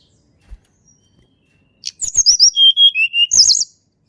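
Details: Tledekan gunung song used as a lure for reluctant singers: after near silence, a rapid burst of sharp chips leads into clear whistled notes falling in pitch, ending with a shrill buzzy flourish.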